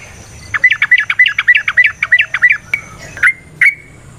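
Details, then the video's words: Sooty-headed bulbul in rapid nrotok delivery, played to stimulate other birds to sing: a tight string of about ten bent, buzzy whistled notes, then two or three isolated sharp chirps. "Suara Burung TRUCUKAN gacor ROPEL VARIASI NROTOK NGECUPLIK pancingan trucukan agar JADI trucuk GACOR"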